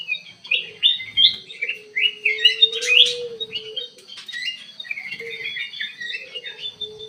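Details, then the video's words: A ruby-throated bulbul kept in an aviary sings energetically: fast, jerky whistled chirps in tight clusters, a loud sharp burst near the middle, and a faint low hum behind. "KUTILANG EMAS GACOR DIDALAM AVIARY"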